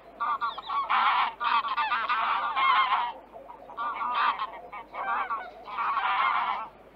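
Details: Greylag Goose in Central Russia giving loud, nasal honking calls in rapid overlapping bursts, with brief pauses between them.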